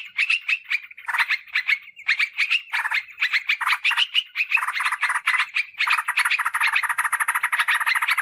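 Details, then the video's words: Lure recording of yellow-vented bulbul for attracting wild birds in woods and gardens: sustained, busy chatter of crisp notes, becoming a fast steady rattle with overlapping birds toward the end. "Suara PIKAT Trucukan PALING AMPUH"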